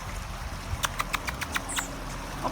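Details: In a San Diego backyard in summer, a possessive Rufous Hummingbird at a feeder chases another away, giving a quick cackling run of about eight sharp, high chips in under a second, then a thin squeal, over waterfall and background rumble.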